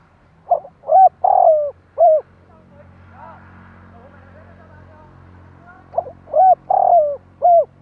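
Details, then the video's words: Spotted dove cooing to stimulate other doves. One phrase of throaty coos ending in a drawn-out falling note, then a few seconds of low hum and faint sounds, then the same phrase again. "Tiếng Chim cu gáy kích bổi nhanh nổi"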